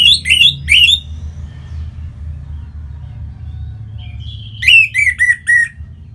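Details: Orange-headed thrush singing as a song lure for other birds: three loud down-slurred notes, a hushed stretch with one faint whistle, then a stepwise falling sequence of clear notes.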